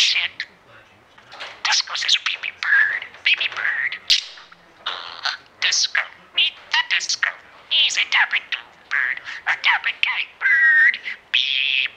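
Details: Pet parakeet mimicking, short clips pieced together: rapid bursts of harsh, speech-like chatter with squeaky whistled notes and clicks, separated by brief silences, plus one sharp clear whistle near the end.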